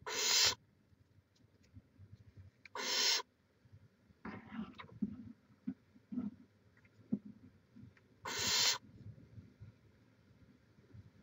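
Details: Raspy hissing screeches from a barn owl at its nest in Chula Vista, California, filmed by a live camera in May 2017, three bursts several seconds apart with softer rustling and faint chittering noises in between.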